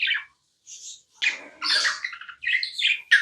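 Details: Tamed budgie chirping at home: short separate squeaky chirps and a high thin whistle, then a louder, buzzy warbling phrase followed by quick bright chirps.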